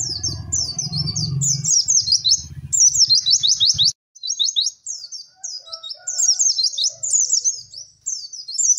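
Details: White-eye song for training other birds: continuous high twittering and chirping phrases, with a low rumbling noise during the opening seconds.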